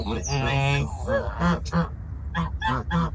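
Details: Domestic geese on a farm: a long, quavering nasal honk followed by a quick series of shorter honks at an uneven pace, with a low rumble underneath.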